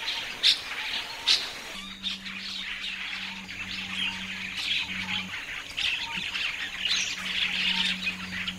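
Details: Common starling song of soft warbling chatter and a few sharp clicks, partly masked by a low steady hum.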